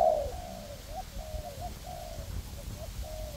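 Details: Spotted dove used as a decoy in woodland to lure wild doves, working alongside a second decoy bird; one strong opening coo followed by softer, level cooing notes.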